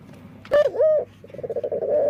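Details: Dove with an unusual song: a sharp rising note that bends into an arched hoot, followed by a fast, evenly pulsed rolling trill.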